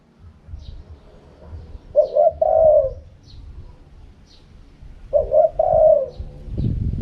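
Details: Spotted dove, wild-style "karom pa" cooing: two low rolling phrases roughly three seconds apart, each opening with quick broken notes before a longer coo. Faint high chirps occur, and a low rumble swells at the end.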